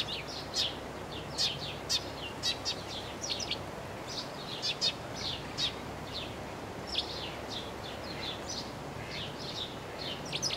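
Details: Eurasian tree sparrow singing, known locally as Ringmus: a steady run of short, bright, high chirps in loose bursts every second or so, with a faint constant hiss underneath.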